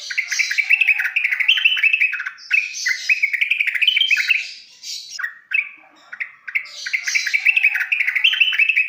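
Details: Trucukan, or sooty-headed bulbul, in a masteran training recording for young birds: lively warbled chatter of rapid rising and falling notes, two long bursts split by a brief pause.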